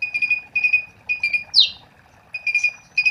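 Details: Asian pied starling singing steadily, its song played as a lure to get other starlings to start singing; short bursts of bright, clinking notes repeat about every half second, broken once by a loud descending whistle.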